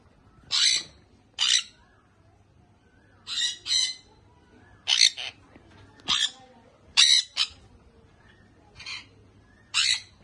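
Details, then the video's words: Baby sun conure parrot uttering scattered single and paired harsh, rasping squawks about once a second, over a low background hum. "sun conure baby parrot"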